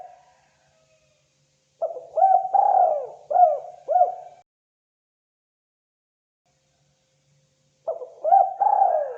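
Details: Spotted dove (terkukur) calling: a phrase of soft, mid-pitched coos with quick upward-hooked notes, then a pause of several seconds before the phrase begins again. The background is otherwise silent.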